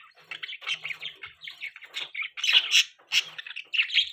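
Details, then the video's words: Budgie parrots chirping in a steady stream of scratchy, warbling chatter, short squawky notes run together with tiny gaps, several louder chirps near the end. "Beautiful budgies chirping sounds | Budgie Parrots Chirping Sound"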